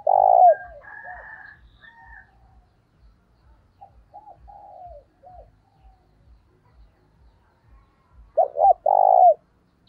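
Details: Spotted dove cooing as a lure for other doves: a loud hollow coo opens, soft low coos trail off through the middle, and a loud two-part coo phrase returns near the end.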